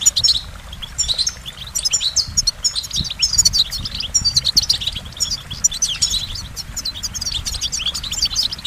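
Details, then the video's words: Steady goldfinch song of fast, high twittering and liquid trills running continuously, with a low background rumble underneath. "Goldfinch Motivation Performance"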